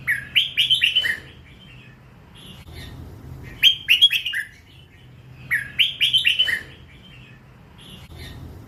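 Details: Young hybrid red-whiskered bulbul, first feathers not yet moulted, giving lak wai song. It sings three bright whistled phrases of quick rising-and-falling notes, separated by pauses of two to three seconds, over a faint steady hum.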